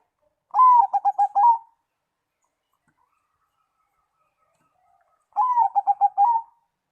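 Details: A zebra dove sings a song that other doves reportedly answer straight away. A sliding opening coo runs into a fast run of short, clipped notes. The phrase is given twice, about five seconds apart, with silence between.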